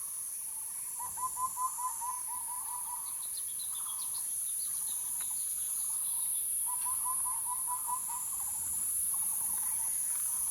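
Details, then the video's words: Bird calling: two quick bursts of short, evenly spaced chirped notes at a steady mid pitch, a fainter scattering of higher notes between them, over a constant shrill insect buzz. "bird sounds"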